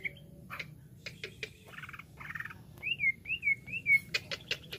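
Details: Cucak ijo, the greater green leafbird, in jamtrok wik wik song: clipped chirps and short buzzy notes, then a clear wavering whistle that rises and falls three times, closing with loud sharp high chips.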